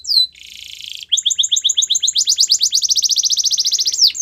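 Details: Belgian canary song used for training canaries to sing: a high descending slur, a dense buzzy roll, then a long fast series of rising chips that speeds into a bright rattling trill.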